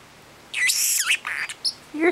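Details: A pet male parrot, in an unusually chatty mood near a hard-boiled egg, chatters in short, raspy bursts of speech-like syllables, repeating the same words, with a high whistle and squawky edges over about two seconds.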